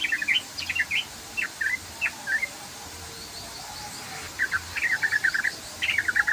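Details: Sooty-headed bulbul in Indonesia singing a long continuous ropel song: bright chirpy phrases with quick rising and falling notes, given in bursts with short gaps.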